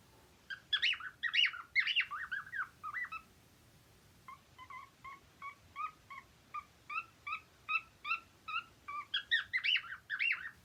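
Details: Cheerful cockatiel song opening with a busy warble of rising and falling whistles, then a long string of short clipped chirps, and ending in another burst of swooping warbled notes.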